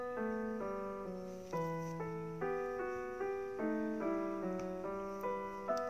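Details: Sustained piano chords change every second or so, with no animal sound anywhere.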